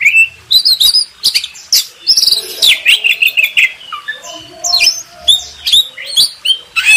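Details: Oriental magpie-robin master song for contest-bird training: a busy run of varied high chirps, short whistles and sliding notes in quick succession, with brief pauses between bursts.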